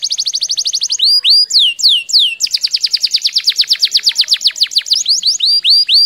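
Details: Singing tame canary, played to prompt a lazy canary into song: a quick high trill leads into swooping falling whistles, then a long fast rolling series of downslurred notes.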